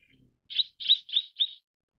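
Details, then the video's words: Mrs. Gould's sunbird (Aethopyga gouldiae) gives four quick, high, buzzy chips in about a second, evenly spaced, with nothing else heard. "藍喉太陽鳥/Mrs. Gould's Sunbird"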